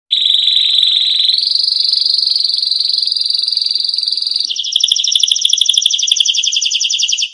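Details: Canary song used as a tutor recording for training other songbirds: a steady rolling whistled tone that steps up in pitch partway through, then breaks into a fast, high trill of repeated notes.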